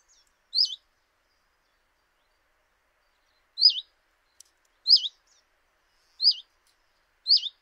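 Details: A common chiffchaff at a kitchen window in Eibar, recorded in early March 2018. It gives one call, then after a three-second pause four more about a second apart. Each call is a short, slurred, dipping whistle, with a faint click in between.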